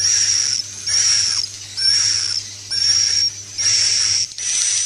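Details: Roosting lure call of swiftlets: evenly spaced, long, hissing high buzzes with a whistled tone, about one every second, separated by short quieter gaps.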